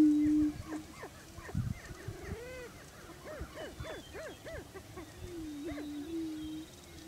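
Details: Greater Prairie Chickens displaying for breeding territory on a lek in Washington County, Kansas: low, steady moaning tones and many overlapping arched, hooting whoops from several birds at once, over a faint low rumble.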